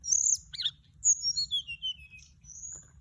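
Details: Lure recording of a flycatcher: a brief high sweet phrase that opens with a squeaky burst, then slides downward through a string of clear whistled notes and ends on a thin level whistle.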